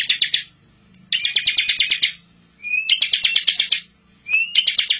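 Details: Bar-winged prinia master song, a lively full rolling song for training young birds: bursts of rapid, high, buzzy trilled notes lasting up to a second, separated by brief pauses, two bursts opening with a rising slurred whistle.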